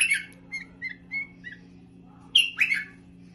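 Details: Bulbul giving short, high, slurred chirps and clipped notes, then a louder burst of harsh squawky notes near the end, over a steady low electrical hum.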